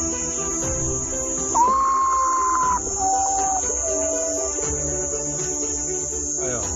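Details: A Common Potoo's five-note mournful song, heard at night and in the morning, is played back: a long, clear whistled note followed by slower notes, each stepping lower, over a steady high insect-like hiss and faint music.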